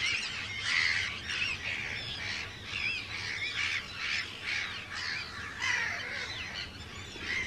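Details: Hundreds of Arctic terns at a breeding colony on Rottumerplaat, the Netherlands, 4 June 2023; loud, grating kee-arr calls in bursts about every half second, many birds overlapping.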